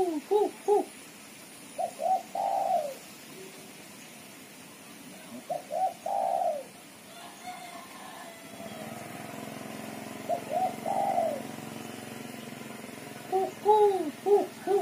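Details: Female spotted dove, chattering call used as a lure: repeated bursts of short doubled coos with longer falling notes, roughly every few seconds; background noise rises midway with a low rumble.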